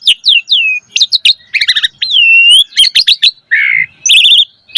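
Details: Javan pied starling in full chattering song with pumping display, giving descending slurred whistles, clipped double notes, a long smooth level whistle, then a buzzy trilled phrase near the end.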